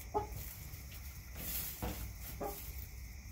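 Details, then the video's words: Backyard chickens give a few isolated, short, low clucks spaced over a couple of seconds against a quiet rumbling background. "CHICKENS CLUCKING ASMR"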